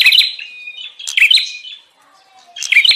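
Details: Lure sound of a bar-winged prinia, 'prenjak ribut' style, used to call in wild birds: scattered sharp chirps and a short thin whistle, a near-silent gap, then a loud burst of chips.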